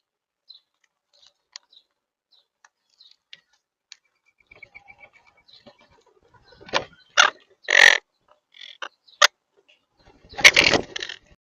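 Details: Wild monk parakeets eating sunflower seeds give loud, harsh, grating squawks after a stretch of soft clicks and faint chirps.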